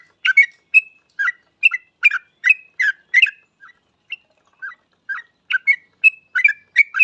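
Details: Energetic yellow-vented bulbul song, used to lure other bulbuls into singing; rapid bursts of liquid chattering notes, a short gap of a few softer single notes midway, then a fast bubbling stream again.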